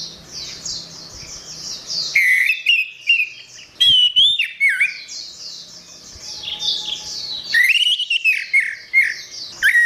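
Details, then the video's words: Orange-headed thrush singing, recorded as master audio for training songbirds: rich whistled phrases with slurred rising and falling notes, separated by brief pauses, over continuous high chirping. "Ocehan Suara Burung Anis Merah"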